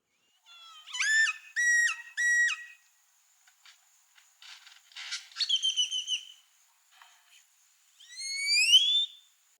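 Great-tailed Grackle song: three loud, rich whistled notes with a sharp upward kink, then a dry rattling clatter, a flat whistle and a long rising slurred whistle.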